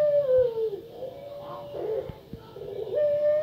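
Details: Barbary dove (puter pelung), a female with a fearsome voice, used as a lure to get other doves calling: a low, drawn-out coo that holds steady, sags and wavers mid-call, then lifts back to its opening pitch, over faint hum.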